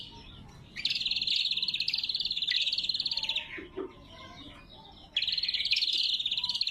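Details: Natural, unedited lesser green leafbird song used as a lure and training model: a long loud rapid buzzy trill, a quiet pause with soft notes, then another dense pulsed trill.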